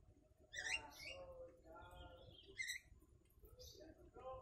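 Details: Yellow-vented bulbul singing with imitated sooty-headed bulbul (kutilang) phrases, used as a model song for training birds: short bright whistled and chattering phrases, loudest near the start and after two and a half seconds, over a steady low hum.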